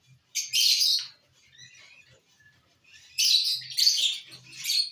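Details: Lovebirds eating corn give two loud bursts of shrill, screechy chatter about two seconds apart, with quiet pecking sounds between them.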